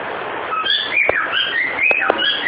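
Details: Pet cockatiel whistling part of the tune "Ô bate o pé" indoors, a few smooth slurred whistles rising and falling, with faint clicks between notes.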